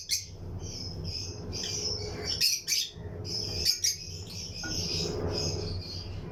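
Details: Chirping Lutino lovebirds in a breeding colony cage with other aviary birds; steady shrill high twittering broken by a few sharp louder chirps near the middle, with a faint low rumble underneath.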